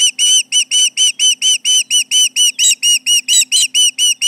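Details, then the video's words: Osprey guarding its Charlo nest from intruders, July 2019, late morning, gives a steady train of loud, high whistled chirps, about two per second, some notes sounding harsher and more strained toward the end; faint hum underneath. "Intruders around, 7/29/19 - Charlo osprey nest"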